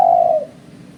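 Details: Spotted dove call played as a lure for bird trapping: one long, clear, low cooing note that falls slightly and fades after about half a second, followed by quiet background hum.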